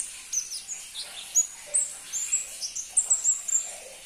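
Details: Crimson-breasted flowerpecker, a rarely kept and hard-to-find songbird, giving very high, thin, sharp notes and short slurred whistles in quick irregular bursts, with no other clear sounds.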